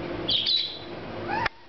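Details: A pet parakeet, excited on hearing the household cat meowing at feeding time, gives a quick burst of high, scratchy chirps, then a short rising squeak before the sound cuts off abruptly.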